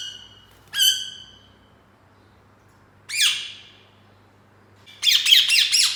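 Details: Rose-ringed parakeet caged indoors: a sharp squawk, a second rasping call about two seconds later, then a fast run of chattering notes.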